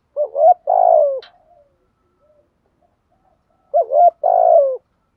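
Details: Decoy spotted dove used to lure wild doves, giving a rapid urging coo: two short low notes followed by a longer drawn-out falling coo, the phrase repeated after a silent pause of about three seconds.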